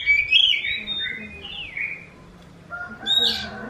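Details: Oriental magpie-robin, a bird said to sound like a kitten's meow: loud slurred whistles bending up and down, a drawn-out falling note, a pause, then a sharp high burst over quiet background.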